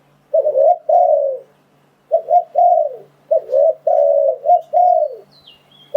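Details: Decoy spotted dove calling to attract wild doves, giving three groups of low mellow coos, clipped notes rolling into longer falling ones; a thin high whistle from another bird near the end.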